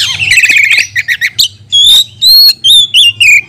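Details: Oriental magpie-robin singing to provoke and train other magpie-robins during lockdown: a buzzy trill and quick chips, then loud clear whistled notes repeated about twice a second, some slurring downward, with a low hum beneath.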